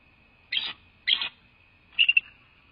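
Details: Female Bald Eagle calling from her nest on a nest camera, January 2024: three short, high, thin squealing notes, the last broken into quick chirps, over a faint steady electronic whine.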